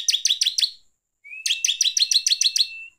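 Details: Lure song of a bar-winged prinia, gacor ngeplong style, meant to agitate rival birds: a short burst of five sharp notes, a pause, then a rising whine leading into a longer run of about a dozen buzzy chips.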